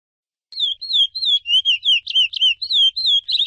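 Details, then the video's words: Chestnut-bellied seed finch (curió) singing the Icoaraci song style: after a brief silence, a rapid continuous run of clear whistled, wavering notes, each dipping and rising, delivered almost without pause. "Icoaraci ou cantoria boa"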